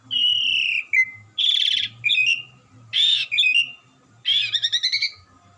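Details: Asian pied starling, a gacoran bird, with melodious non-stop song: a long whistled note sliding down, loud pulsing buzzy bursts, a harsh rasp and a rapid stuttering trill, over a steady hum.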